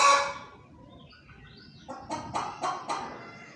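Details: Hen calling: a fading squawk at the start, a faint drawn-out wavering note, then four evenly spaced throaty clucks.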